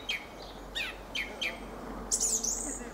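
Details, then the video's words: Fieldfare song: a few short, harsh chattering notes spaced through the first seconds, then a high, squeaky twittering burst near the end, over quiet background. "Fenyőrigó ( Turdus pilaris ) éneke."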